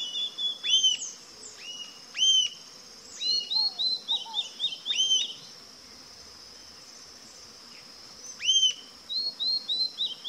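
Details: Rufous-tailed jacamar uttering abrupt, piercing arched whistles at irregular intervals, with a quick string of thinner descending twitters in between and a continuous shrill insect hum behind.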